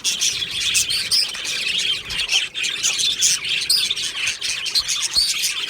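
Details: Budgerigars in an aviary colony, recorded 22 June 2025: a dense, continuous chorus of high chirps, squawks and warbling chatter from many birds, with sharp bright notes overlapping throughout.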